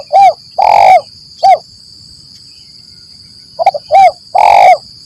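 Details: Spotted dove lure call in the 'Kuk 1 Mersik' style, meant to make other doves answer: two phrases of short low hoots, each around a long, loud, burry coo, with a steady high-pitched whine throughout.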